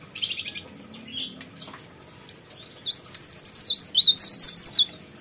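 Sooty-headed bulbul singing a fast run of high, bright, warbled notes after a brief buzzy chatter, with a faint background hum.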